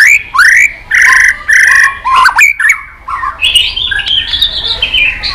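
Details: White-rumped shama singing competitively with many voices: strong rising whistled phrases repeated in quick succession, sharp clicks, then a softer run of high warbled notes.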